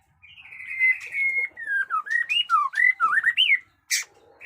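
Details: White-rumped shama, a captive bird in fresh plumage, delivering a long whistled phrase: a steady clear note, then a string of looping, rising and falling slurred whistles, ending with a short harsh burst.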